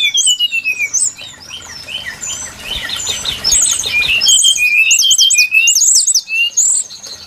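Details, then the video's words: Brown-chested jungle flycatcher lure song for trapping birds: bright, high whistled notes and fast slurred trills in dense sequences, with quick repeated upswept notes in the final seconds. "Suara pikat burung sikatan SRDC Sikatan rimba dada coklat"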